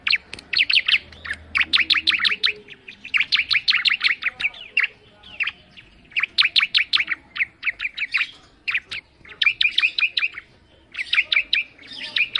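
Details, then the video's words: Sustained song of a bar-winged prinia: long runs of fast, evenly spaced high chirps, broken by brief gaps and a few isolated sharp notes. "Suara Burung Ciblek Mendayu Auto Gacor"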